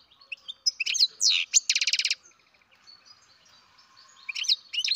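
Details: Young captive-bred European goldfinch mixes sharp high chirps with a fast buzzy trill, then pauses before another burst of bright twittering notes.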